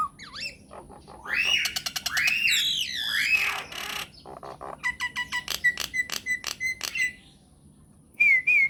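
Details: Myna singing on a lure track to make other mynas respond: swooping squeaky whistles with harsh rasps, then an even row of about a dozen short clicking notes and a closing whistled pair.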